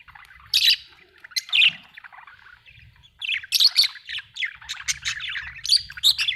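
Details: Budgerigars kept at home chatter in lively bursts of harsh squawks and high, warbling chirps, with calls overlapping, a short pause, then a denser run of rapid chirping.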